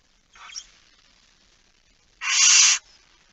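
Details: Barn owl in a nest box at night, 13 September 2019 around 22:27: a faint short rasping hiss, then a loud harsh broadband hiss lasting about half a second, with quiet background.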